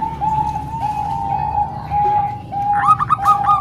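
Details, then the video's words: Zebra doves, a mix of three Bangkok-type birds and one local bird, used for training young doves. A long, steady, tonal cooing line runs throughout, broken by brief dips, with a quick bubbling trill of higher notes near the end. "Kombinasi 3 Suara Perkutut Bangkok Dan 1 Lokal|Untuk Melatih Perkutut Bahan"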